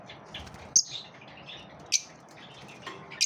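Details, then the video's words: Three piercing, high lovebird chirps about a second apart, each a brief sharp note with a slight scratchy tail, during a competitive exchange between the birds. "Love birds also have competitive moments"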